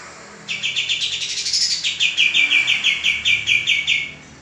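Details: After a short quiet start, a male common iora used for training caged birds launches into a lively series of ringing high chirps, repeated rapidly for about four seconds.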